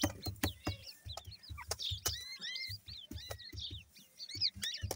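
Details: Grey francolin chicks peeping in high, curved, overlapping notes, backed by a steady low pulsing thud and repeated sharp clicks.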